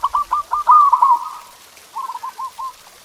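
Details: Zebra dove song meant to spur pet doves into singing: a few separate short notes lead into a loud rolling coo, followed after a gap by a softer trilled phrase.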